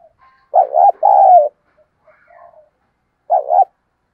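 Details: Spotted dove kept as a decoy, cooing with urgency: a full two-note coo, soft low murmurs, then a shorter clipped coo.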